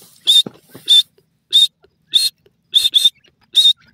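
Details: Grey francolin (dakhni teetar) calling in jungle: loud, shrill, harsh bursts come in quick succession, about seven in four seconds, two of them paired close together, with faint low rustling between the notes.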